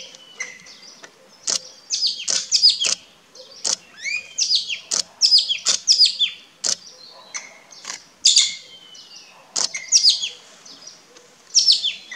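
Common green magpie giving sharp, high chirps and clicks in quick uneven bursts, with a few thin, level whistles between them.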